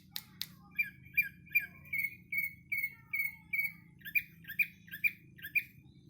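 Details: Greater green leafbird in Patek, Aceh Jaya, singing a series of short whistled notes repeated about twice a second, later notes with a hooked rising-falling shape, over a low steady hum.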